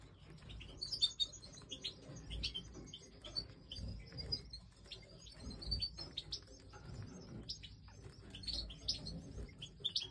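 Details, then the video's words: European goldfinch chicks being fed by an adult Major goldfinch during breeding time; rapid high thin chirps and squeaks repeated through the clip, with soft rustling and low background noise. "Goldfinch Breeding Time 🐣Feeding Chicks"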